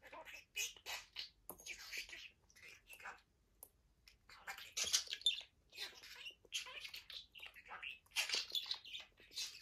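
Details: Male pet budgerigar playing with his toys indoors, seemingly having fun: dense, scratchy high-pitched chattering with rapid clicks and warbling bursts, irregular and nearly continuous with brief pauses, in a small quiet room.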